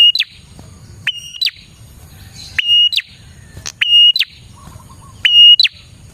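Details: Spirited prinia song used as bait for trapping prinias: high level whistles introduced by sharp upslurs and ending in rising flicks, repeated in pairs, plus one brief low trill and a steady soft rumble behind.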